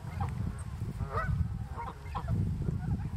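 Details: Canada goose x greylag goose hybrid, one of four hybrid goslings raised through summer 2020 near lake Mälaren, Greater Stockholm, Sweden: about five short, harsh, nasal honks in loose series over steady low-pitched rumble.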